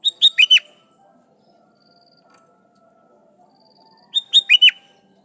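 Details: Sooty-headed bulbul song used to call rivals and get wild bulbuls to respond; a four-note whistled phrase, bright and quick, repeated once after roughly four seconds of quiet.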